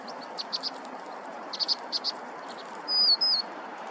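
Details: Vinous-throated parrotbills, a common Korean resident, in winter (Nov–Dec 2023), fluffed up and roaming in flocks mixed with tits while quickly eating grass seeds. Short, high chips come in small bursts, followed by a thin, drawn-out whistle over quiet background hiss.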